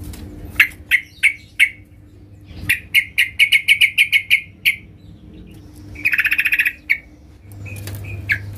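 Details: Yellow-vented bulbul in loud challenge to rivals: spaced single notes building into a fast rattling run, then a dense buzzy trill and a few closing notes, with low background rumble.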